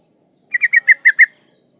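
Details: Female yellow-vented bulbul (trucukan) in breeding condition calling a male: one quick burst of six chattering notes near mid pitch, each bright and slightly falling, delivered in under a second against silence.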